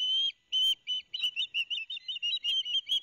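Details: Ospreys on a Barnegat Light, New Jersey nest, September 2021, two noisy young getting fish from the father: a long shrill whistle, then a string of short, piercing, slightly wavering whistled notes in quick succession.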